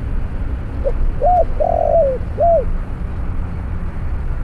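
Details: Spotted dove cooing during a trapping session with a snare cage and a decoy bird: four soft, low hooting notes, each rising then falling, the third one longer and drawn out, over a steady low rumble.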